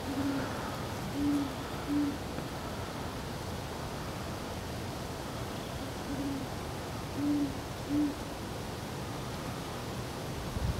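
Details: Great horned owls hooting around their second mating of the same night, December 25, 2012; deep, low hoots in two sets of three spaced about five seconds apart, over a steady background hiss.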